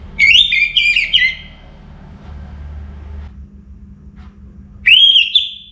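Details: Caged orange-headed thrush from Singaraja, North Bali, singing actively just before morning: two bursts of loud, rich whistled phrases with sliding, warbling notes, separated by about three seconds of quiet, over a low steady hum.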